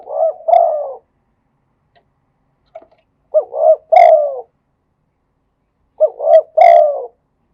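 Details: Spotted dove song in the khat and nun styles: three cooing phrases about three seconds apart, each two short rising coos followed by a longer, falling, mellow note, with silence between.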